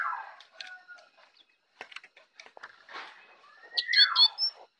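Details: Jongkangan singing in the morning: varied chattering phrases of short chirps and descending slurred whistles, ending in a louder burst of bright, rising and falling whistled notes.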